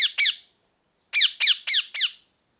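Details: Harsh parrot squawks, two in quick succession, then a second of quiet before a run of four rough, downward-sweeping screeches.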